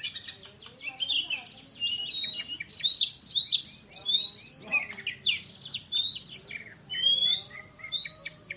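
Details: Oriental magpie-robin, a champion kacer bird, singing a mix of rapid chatter followed by clear rising whistled notes repeated every second or so.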